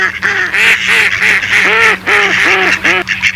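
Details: Series of loud, nasal mallard quacks, each a short arched note, delivered in a steady run of about three per second with brief pauses between bursts.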